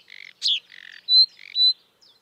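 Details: Marsh warbler in the wild giving nasal buzzy rasps alternating with sharp, clear whistled notes, in a short stuttering sequence.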